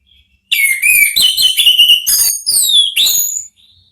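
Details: Orange-headed thrush singing in ngeplong style as a lure to make thrushes answer: three seconds of continuous rich whistled phrases, falling and rising slurs with strong overtones, sweeping higher near the end.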